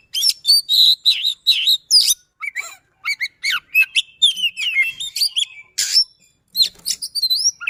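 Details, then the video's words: Kacer (Oriental magpie-robin) performing a persistent, rapid song meant to prompt silent birds into singing: tight runs of whistled slurs, buzzy chips and rising notes packed together, broken by brief gaps. "Speed Rapat Durasi Dapat | Roll Tembak dan Ngotot, Pancingan Kacer Macet Bunyi"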